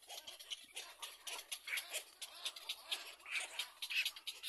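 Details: Little black cormorant in its nest protecting its young: harsh, hissing, rasping bursts repeated several times a second, run together into a continuous chatter.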